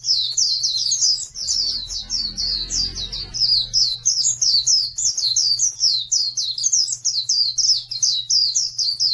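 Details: Oriental white-eye song from a training recording for birds that won't sing. A long, rapid, high twittering warble runs throughout, with a brief soft low rumbling sound early on and a low hum.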